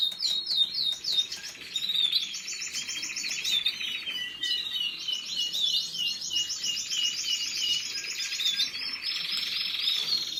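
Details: Canary singing a long, continuous song of rapid repeated trills and rolling phrases, high-pitched throughout, with fast buzzy note series shifting in tempo and a steady, fairly loud delivery.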